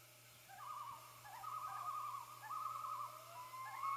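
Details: Common loons calling to announce the hatching of their first chick, recorded 6 5 13: quavering, wavering tremolo phrases at a mid pitch, repeated in bursts with brief pauses, over a low steady hum.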